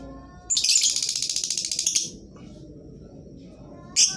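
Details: Lovebird song meant as a lure for birds that are slow to sing: one long, shrill, buzzy rattling trill of about a second and a half, then quiet and a single sharp chirp at the end.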